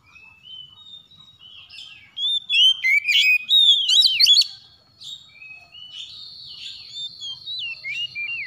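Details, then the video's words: Morning calling of a kacer (Oriental magpie-robin): soft thin whistles building into a loud, tangled flurry of rapid slurred notes, followed by quieter warbling over a steady high whine. "PANGGILAN KACER PAGI HARI"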